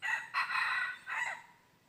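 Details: Red junglefowl crowing on 23 January 2022 while wild junglefowl are lured with a decoy. One loud, harsh crow in three parts: a short opening note, a longer held middle section, then a fading, dropping tail, over a quiet background.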